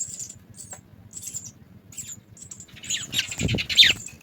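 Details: House sparrow chicks at the nest being fed, high thin chirps repeated, then a louder, busier flurry of squeaky calls with rustling near the end.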